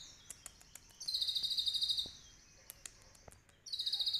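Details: Sunbird kept at home, recorded live as a master song for other songbirds, song filled with cililin imitation: soft ticking notes, then a one-second high pulsing trill, more scattered clicks, and another trill starting.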